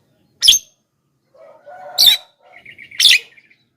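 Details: Javan myna calling, played to attract wild birds: three loud rasping squawks about a second apart, with softer chattering and thin whistled notes between them.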